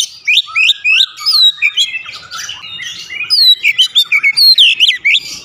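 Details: Vigorous 'gacor' song of an Oriental magpie-robin (kacer): fast sequence of sharp upward whistles and sweeping slurred notes in a steady, busy rhythm throughout.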